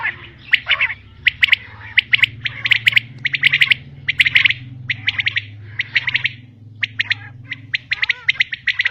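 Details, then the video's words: Female common quail (local name maadi batair) calling: short, harsh, clipped notes, irregularly repeated about eighty times a minute, often in quick pairs or bursts, with a low steady hum beneath. "Common quail Calling| Female Quail sounds | Maadi Batair Ki Awaz"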